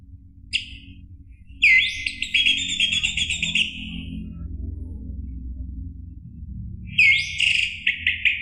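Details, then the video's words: Orange-headed thrush song, a recording used to provoke a caged bird into singing: two bursts of rich, warbled whistling phrases around a steady 2–4k band, separated by a pause, with low hum underneath. "PANCINGAN ANIS MERAH agar Emosi jadi NYAUT BUNYI GACOR NGEPLONG"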